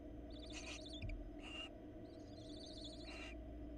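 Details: Barn owls nesting in Florida, the female delivering a rat to a chick and then sparring with the male; quavering high twittering trills alternate with short rasping hisses against a constant humming background.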